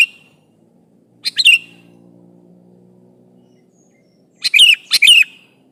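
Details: Sooty-headed bulbul calling a rival and baiting other bulbuls to respond: one bright whistled phrase, a long pause, then two quick phrases in close succession with a rising-falling warble.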